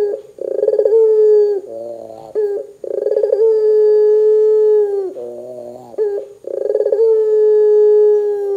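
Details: Barbary dove in vigorous calling form, used to make other doves start calling; low, rolling coos, each a short buzzy burst followed by a long, steady, slightly falling note, repeated about three times with brief gaps.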